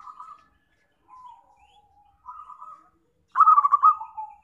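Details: Zebra dove lure sound for trapping: soft, level coo phrases separated by pauses, then a loud, rolling, stuttered trill that slides down into a drawn-out coo.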